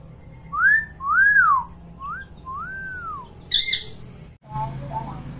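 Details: Pet hill myna with a clear voice, imitating sounds: four smooth whistled notes rising and falling in arcs, a sudden harsh screechy squawk, then an abrupt cut to faint murmuring over steady low hum.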